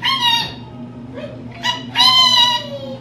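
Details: Indoor pet rainbow lorikeet, a female, imitating human speech: clear, high, tonal syllables, a short one, a brief pause, then a longer drawn-out word. A faint lower voice and a steady hum sit in the background.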